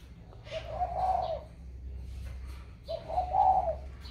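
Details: Caged spotted dove, bought and put in a box, keeps cooing normally: two low, mellow hooting phrases about two and a half seconds apart, with faint room noise.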